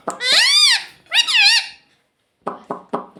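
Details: Domestic talking parrot said to say "mummy"; two loud arching squeaky phrases rising and falling in pitch, followed after a pause by three short rasping clicks.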